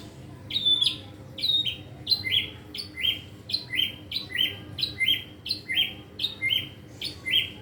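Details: Young caged white-rumped shama learning its song with a varied repertoire, repeating paired sharp descending whistled notes about once per second in a steady, regular series.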